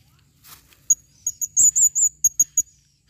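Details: Female blue-crowned hanging parrot, 2021, calling with a series of very high, sharp chirps and short trills, about ten notes in under two seconds, preceded by a soft rustle.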